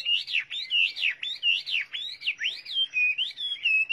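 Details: Loud Chinese hwamei song of clear, rising and falling whistled phrases, each slurred up and down, repeated about every two-thirds of a second in a lively, varied run.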